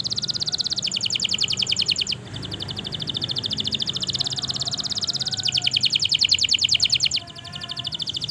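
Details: Long, continuous canary song used to stimulate quiet canaries into singing: fast trills of high, repeated notes at about three to four per second, switching between tight buzzy rattles and clearer chirped phrases, with faint low background hum.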